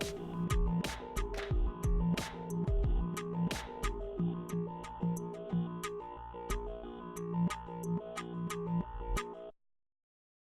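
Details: Electronic music with a steady beat and synth tones plays throughout, and no animal sound can be picked out.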